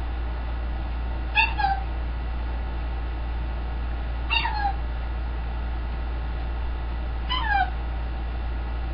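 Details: Pet green-winged macaw, known for a wolf whistle, calling three times about three seconds apart; each call is a quick harmonic note that sweeps downward, over a low indoor hum.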